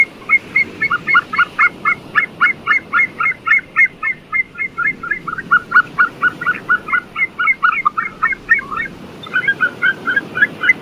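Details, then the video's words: White-tailed sea eagle calling: a long run of rapid, yelping notes around four per second, barking and slightly nasal, with brief pauses near five and nine seconds, steady faint background hiss. "白尾海鵰(白尾雕)/White-tailed Sea Eagle(White-tailed Eagle)"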